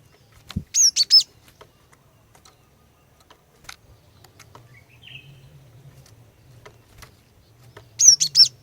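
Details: A female cinereous tit sends out two bursts of high, clipped chirps roughly seven seconds apart, calling to get males singing; quiet low hum between them.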